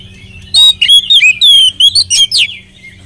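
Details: Oriental magpie-robin song meant to lure other magpie-robins into singing: after a half-second pause, a loud run of about ten piercing whistles, some rising, some falling and slurred, ends in a steep downward note.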